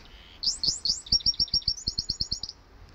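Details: Canary x goldfinch hybrid practising song: three rising swept chirps, then a fast even sequence of about fifteen short high notes in two slightly different pitches, bright and twittering.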